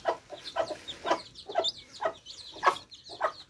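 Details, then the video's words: Thirsty baby chicks at fresh water, giving repeated short chirping peeps about every half second, a steady flock chatter with overlapping higher twitters in the background. "Thirsty Chicks Quenching Thirst With Fresh Water Baby Chicks Relaxing Sound"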